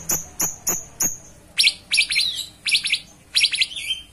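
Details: Cucak cungkok opening with four evenly spaced piercing high notes, then switching to fast buzzy trilled phrases and a falling whistle.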